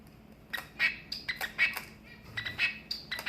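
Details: Long-tailed finch, or shafttail finch, kept in a flight, giving short squawky chirps in quick irregular bursts of about two per second. A faint low hum sits in the background.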